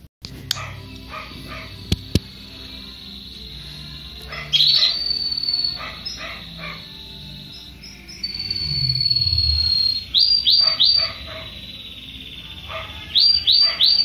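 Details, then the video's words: Young Belgian canary singing loudly: varied short notes and clicks, drawn-out high whistled slides, and bursts of quick repeated sweeping chirps, with faint low background noise. "canario belga novo cantando bonito"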